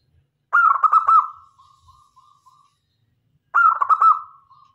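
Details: Zebra dove of local stock, used to lure other doves, gives two bursts of stuttering, bubbling coos, each ending in a string of softer level notes that fade away, in quiet surroundings.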